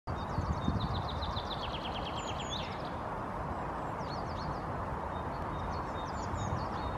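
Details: Common starling perching on a bush in Helsinki, Finland, in April 2022, giving high, thin rattling clicks and squeaky whistles in quick bursts, repeated a few times, over a steady low rumble of wind or distant traffic.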